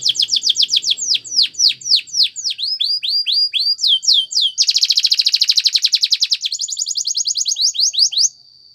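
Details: Singing Spanish Timbrado canary, used as a training song for other canaries: high downward-sweeping whistled notes repeated rapidly, then a dense buzzy roll, then a thinner high rattle ending on a held tone.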